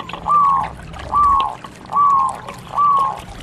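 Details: Four long, smooth cooing notes from a local zebra dove, each sliding slightly downward and lasting about half a second, repeated at a steady pace of nearly one per second.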